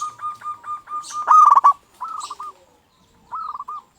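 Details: Lure song of a local zebra dove meant to set others singing: rhythmic pulsing coos build into a loud rolled phrase, followed by two shorter stuttering coo phrases separated by a brief silence.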